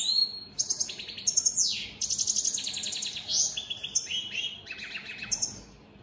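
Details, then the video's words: Singing opal split Satane goldfinch, a mutation of the European goldfinch: rapid high liquid twitters, descending slurred notes and short buzzy trills run together without pause. "Opal split Satane goldfinches siging"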